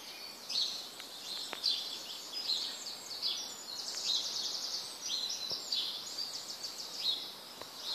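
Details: Birds singing in the morning: a dense chorus of high thin chirps and trills from several birds, steady through the recording, over a faint background hiss.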